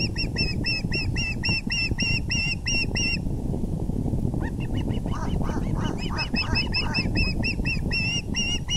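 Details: Osprey calling at the nest as the male arrives with a large fish, 6:30 pm EDT, April 6, 2020: shrill whistled chirps in quick succession, a brief pause, then lower notes building back into rapid high chirping, over low background rumble.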